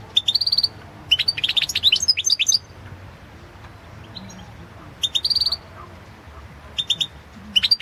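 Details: Competition recording from a world championship in goldfinch song: a European goldfinch delivers rapid tinkling twitters and buzzy high notes in phrases, pausing between bursts, over faint low background hum.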